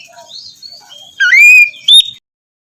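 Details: White-rumped shama song used as morning therapy to stimulate a reluctant bird to sing; soft warbled notes lead into a loud rising whistle and a final bright upward flourish.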